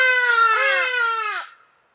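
A loud, nasal, trumpeting wail from a Hadada ibis lasts about a second and a half, with a second overlapping note that dips briefly, then fades out.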